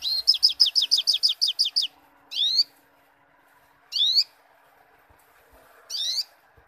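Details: Sogok ontong (little spiderhunter) calling loudly, a quick series of about ten sharp, descending high chips, then three separate rising, squeaky upslurred calls spaced about two seconds apart, on a quiet background.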